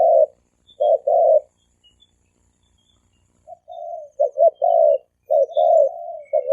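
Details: Spotted doves, male and female, calling in the thổ kim cooing style used to provoke wild doves: low hollow coos in short phrases, with a silent gap of about two seconds mid-clip.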